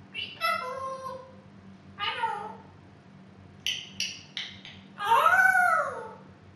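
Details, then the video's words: Female African grey parrot, about two years old, kept as a pet, giving loud harmonic calls that bend in pitch like meows, followed by quick sharp clicks and a long, sweeping, voice-like sound; low constant hum in the background. "the talking African Grey parrot"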